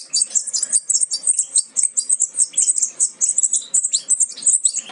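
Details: Goldfinch fledglings close to leaving the nest, from a Major aminet carrier crossed with Parva Ancestral: continuous very high, shrill, rapid chirping from several birds, pulsing several times a second without pause.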